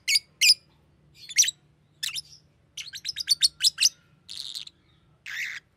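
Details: A green lovebird gives bright chirps, then a quick run of rapid ticking notes, ending with two harsher, buzzy squawks. Faint low hum is also present.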